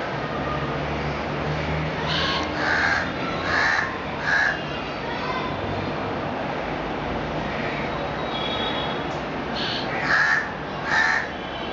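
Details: A 45-day-old juvenile black-billed Asian koel (Eudynamys scolopaceus melanorhynchus) raised by crows imitates its crow foster parents. About eight harsh, caw-like bursts come in two loose clusters over a steady background hum.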